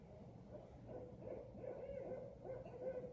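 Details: An owl, recorded late at night in a front yard outside a window, gives low, soft hooting notes, several in quick succession with a slight waver, over a faint background hum.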